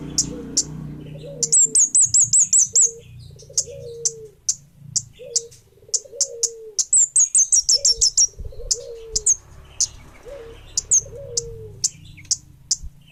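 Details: Energetic orange-headed thrush song of very high, thin chirps delivered in quick bursts and scattered single notes, with two rattling trills; a dove coos softly and repeatedly in the background.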